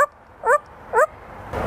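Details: A 30-year-old African grey parrot at Knoxville Zoo, asked to bark like a dog, mimics one with two short, yipping barks half a second apart, followed by a brief rush of noise.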